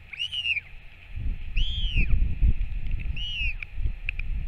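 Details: Northern royal albatross parent back at the nest and feeding its chick, 21 May 2024: three loud down-curving whistled notes plus short clicks, over strong low-pitched rumbling and buffeting.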